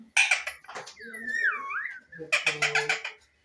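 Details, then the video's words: Pet parrot making noises: bursts of harsh, speech-like chatter around a gliding whistled note that rises and falls, then more rapid raspy chatter. "Parrot Phil is making noises"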